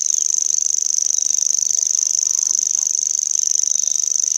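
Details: A common grasshopper warbler reels continuously, its thin, very high trill of fast, evenly spaced ticks sounding insect-like and never pausing, with only faint background noise.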